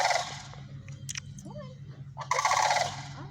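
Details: Sandhill cranes: a harsh rolling call fading out, a quiet gap with faint clicks and a soft rising note, then a loud rattling bugle burst; steady low hum beneath.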